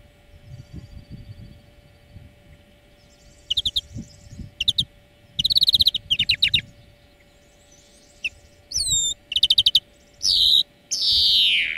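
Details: European greenfinch song recorded as a lesson for training birds: scattered bursts of rapid chirped trills, sharp down-slurred whistles and short twittering phrases, ending in a long buzzy wheeze, with soft low rumbling and a faint steady hum in the background.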